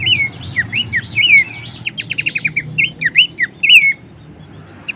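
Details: Horsfield's babbler recorded to tutor and provoke songbirds: looping downslurred whistles followed by a quick row of sharp ticking notes, then more whistles before trailing off into quiet.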